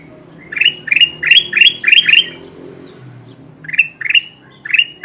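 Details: Lure for wild kutilang emas bulbuls: a string of five quick rising chirps, a short gap, then three more similar upslurred notes, over a faint low background hum.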